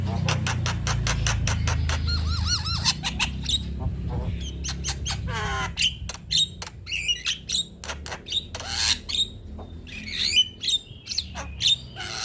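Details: Energetic song of a male black-winged starling, said to set other birds singing too. Rapid clicks and chatters, wavering whistled phrases and sharp slurred notes, with a steady low background rumble strongest in the first half.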